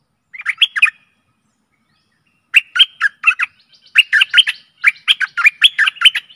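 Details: Stripe-throated bulbul singing on a lure recording meant for aggressive wild birds: a short bubbly phrase, a pause of about a second and a half, then longer runs of quick, jerky chirping notes.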